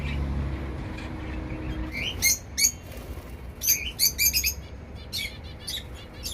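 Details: Zebra finch pairs flying freely in a mixed outdoor aviary on a flat balcony in Dubai: bursts of short, nasal, high chirps, some in quick clusters and others spaced out, over a low background hum.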